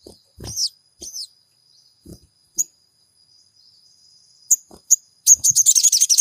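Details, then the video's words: Sogon, or Crimson Sunbird, played to provoke a quiet caged bird into singing: scattered sharp high chips with soft knocks and rustles, ending in a fast run of piercing high trilled notes, a faint constant high tone beneath. "MASTERAN SOGON GACOR PENJEBOL EMOSI SOGON MACET BUNYI"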